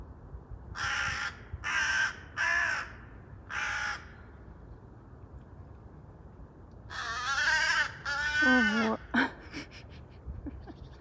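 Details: Agitated, restless crow calling loudly: four short hoarse caws roughly one per second, a pause, then longer harsh drawn-out caws and clicking notes, while a woman speaks to the bird in Russian.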